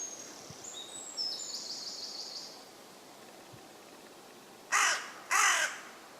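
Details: Common raven croaking from a tree in woodland in West Sussex, England: two harsh, hoarse caws close together near the end, after a thin, high twittering from a small bird at the start.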